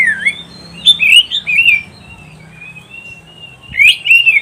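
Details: Kacer (oriental magpie-robin) song used to tutor pet birds: quick slurred whistles and squeaky twists, then a long thin steady note, ending in another burst of warbling.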